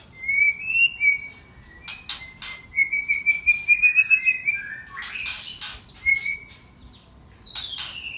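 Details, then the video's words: Aceh-type white-rumped shama in bursting song packed with fill-ins: clear high whistled notes and short warbled phrases, sharp clicks and chips, then a long sweeping whistle that slides down from very high, in a quiet setting. "Murai Aceh SMBF Sembur Isian Gawat"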